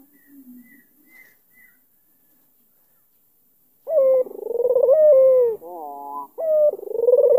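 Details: Barbary dove, albino with a black neck ring, calling to goad an opponent. Faint notes open, then a pause, then loud coos from midway, each a burred rolling note easing into a level, falling tone.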